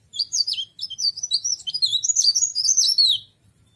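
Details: Cikrak daun, or tralis, a leaf warbler kept as an ornamental bird, singing a fast high warble of twisting, sliding whistled notes for about three seconds before stopping. Faint low rumbling runs underneath.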